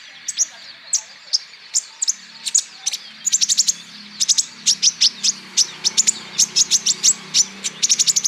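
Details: Olive-backed sunbird lure song meant to set caged sunbirds singing: a rapid series of piercing, high, clipped chirps. They start spaced about half a second apart, then crowd into dense rattling runs. A faint low hum is also heard.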